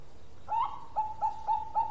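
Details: Zebra dove of the Bangkok type, a strong long-voiced singer, giving a series of short clipped coos on one steady pitch, spaced about a quarter second apart, over a faint background hum.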